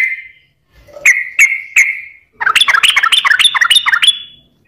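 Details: Sooty-headed bulbul singing energetically, used as a lure to make lazy, untrained or stressed birds sing: a drawn-out whistle, then three short clear notes, then a fast bubbly burst of chattering whistled notes.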